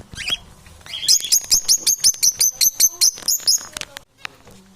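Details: Competing parrots produce a run of about fifteen sharp high chirps in quick succession, preceded by a shrill squeak and followed by quiet.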